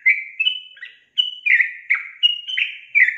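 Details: Sooty-headed bulbul singing intensely, giving a fast chain of bright, slurred whistled notes that alternate slightly higher and lower, about three to four notes a second after a short pause.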